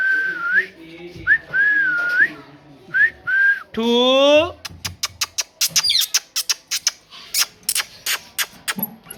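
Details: Parrot gives wavering whistles that rise and fall, a buzzy voice-like squawk, then a quick train of sharp clicks.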